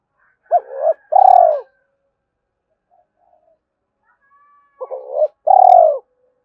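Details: Two-ending calling coo of a spotted dove, used to provoke wild doves. Two phrases about four seconds apart: clipped hooked notes lead into a long, rich, steady coo that falls away. A faint soft note sounds in the gap.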